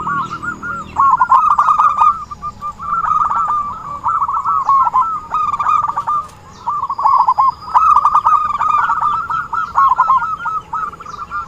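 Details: Zebra dove lure recording for bird trapping: repeated bursts of fast, trilled cooing, each phrase lasting one to two seconds with brief pauses, accompanied by sharp clicking sounds and a thin high whistle.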